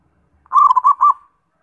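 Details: Zebra dove delivering one brisk phrase of about four rolling, slightly trilled coos that trail off into a short, fading tail note.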